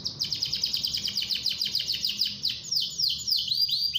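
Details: Singing canary (kenari gacor) used to prompt other canaries to sing: rapid high trills of repeated descending notes, then slower down-slurred whistles near the end, with faint low background hum.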